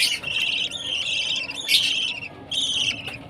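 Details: Feeding-time chatter of a baby budgerigar: a continuous raspy chirping stream with a louder peak near the middle and a short lull before resuming.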